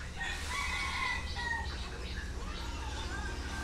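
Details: Young red junglefowl hens, happily dust-bathing, give overlapping nasal calls and soft clucks around one to two thousand cycles, with a crowing-like phrase early on over a steady low background hum.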